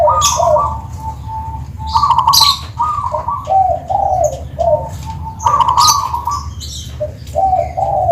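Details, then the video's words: Tuban zebra dove giving its 'Kristal' style song, a rippling series of soft purring coos, each phrase dipping then rising, repeated about every two seconds, with sharp high-pitched chirps from other birds scattered throughout. "Suara Kristal,perkutut Tuban"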